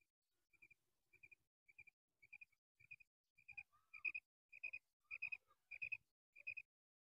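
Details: Calls of a female common quail (madi batair): crisp, high paired clicks repeated at an even pace, about twice per second, growing louder, with brief lower chirps mixed in near the middle.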